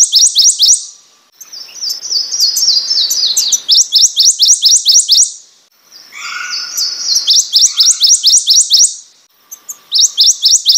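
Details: Repeated bursts of ringing, upslurred high notes from a prothonotary warbler. Between the phrases come softer runs of notes, and a lower call is heard in the middle.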